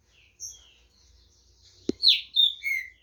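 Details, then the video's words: Green-winged saltator at a song competition in Brazil, with faint high notes, a knock, then three loud descending whistled phrases in quick sequence. "TRINCA FERRO"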